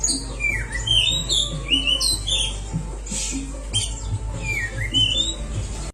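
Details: Kacer, the oriental magpie-robin, sings a training recording for birds that have stopped singing: sharp down-slurred and rising whistles mixed with scratchy chatter in rapid phrases, with a constant low background hum.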